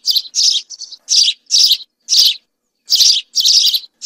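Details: Several house sparrows singing: loud, scratchy chirps mixed with a few softer, shorter notes, around ten in four seconds, with uneven spacing and a silent background.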